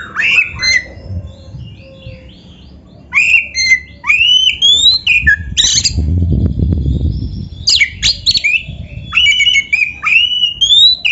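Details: Master song of a white-rumped shama for training young or quiet birds: bursts of harsh buzzy notes alternate with bright upslurred whistles, a short quiet gap, and a low rumbling noise in the middle.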